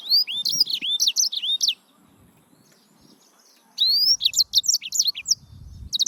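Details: Song of a yellow-fronted canary, Serinus mozambicus: two quick bursts of high, rising whistled chirps in fast series, separated by a two-second pause, with a soft low rumble underneath.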